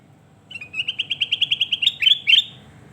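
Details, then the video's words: Sooty-headed bulbul in lively song, used for training other birds: a fast, even series of about a dozen short chirping notes on one pitch, then two louder, higher slurred whistles, over faint low background hum. "Masteran Mewah Burung Kutilang Emas Mantap"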